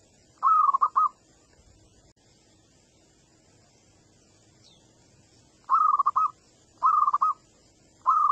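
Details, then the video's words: Young wild-origin local zebra dove singing as a lure to set other doves singing: short, bubbling, stuttered coo phrases, one near the start and three more spaced about a second apart later, with quiet pauses between. "SUARA PANCINGAN MANGGUNG BAKALAN PERKUTUT LOKAL ALAM BIKIN PERKUTUT LAIN IKUTAN MANGGUNG"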